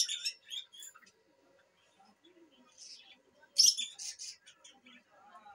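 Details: Lutino lovebirds at a breeding farm chattering with quick high chirps and squeaky twitters, a loud cluster of calls midway, and quieter scattered notes between.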